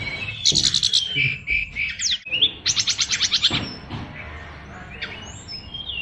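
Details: Caged oriental magpie-robin of a Bali contest line, singing a song rich in imitated phrases: bursts of rapid buzzy chattering notes repeated in quick runs, broken by short whistles, with some background music.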